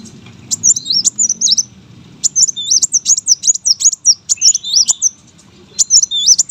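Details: Competition brown-throated sunbird giving bursts of rapid, high, rising-and-falling squeaky whistles, several phrases broken by short silences, with faint background noise.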